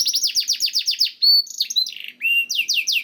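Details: Canary singing, used as a lure to get caged canaries to sing: a fast series of down-slurred chirps, a pure whistled note, mixed twittering phrases, then a low rising whistle and more swooping chirps.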